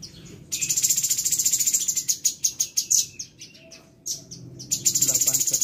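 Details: Caged sooty-headed bulbul tutor bird in Bandung, September 2022, singing imitation material such as indigobird, grey-headed canary-flycatcher, parakeet and siri-siri for pupil birds. Rapid, high chattering notes repeat about three per second in bursts, with brief pauses.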